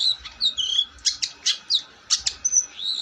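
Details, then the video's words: Long-tailed shrike delivering bent, whistled slurs and harsh scratchy bursts in quick succession, with a high thin whistle near the end. "Burung cendet gacor"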